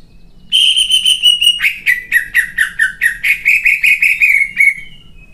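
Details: Greater green leafbird, a champion competition songbird, shooting out coarse fill-in material. A long, bright, level whistle runs into a quick series of about a dozen rich, repeated chip notes that slow and fade at the end. Faint low hum.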